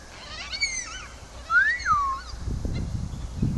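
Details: Cockatoos in New South Wales, Australia, on 30 September 2012 in rain, give a few drawn-out, wailing calls that rise then fall, one louder midway, followed by low wind or handling rumble. The recordist has heard they signal rain nearby.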